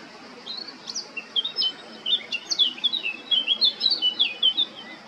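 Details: Singing male Eurasian blackcap at Baška on Krk, Croatia, in July 2022: a few scattered chips build into a fast, jumbled warble of clear, fluty notes that runs to the end.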